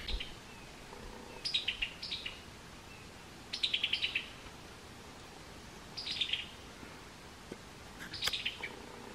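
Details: Summer tanager calls in four short bursts of chuckling, descending clicks spaced about two seconds apart, each a quick stuttered series of high notes over a quiet background.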